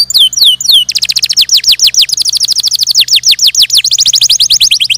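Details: Canary song opening with three looping high whistles, then a long, fast rattling trill of descending notes sung without pause, steady and loud throughout.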